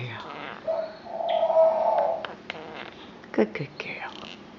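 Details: Almost three-year-old female Quaker parrot in a small room murmuring a drawn-out, vowel-like speech sound lasting about a second and a half, followed by soft clicks and brief squeaky notes.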